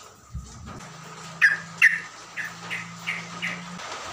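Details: Songbird played in the morning to provoke other birds into emotion, giving short sharp chirps spaced about every half second, with a low steady hum and a brief low thump near the start.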